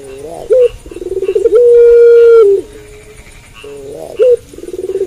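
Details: Low dove cooing at night from a puter pelung: a short note, a pulsing run swelling in loudness, one long sustained coo, then the pattern begins again.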